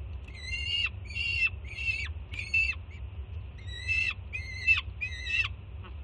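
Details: Peregrine falcon chick at a Jersey City nest, excited as the female arrives with breakfast; series of eight grating screams roughly every 0.6 seconds, each dropping at the end, a short gap mid-sequence, low background hum.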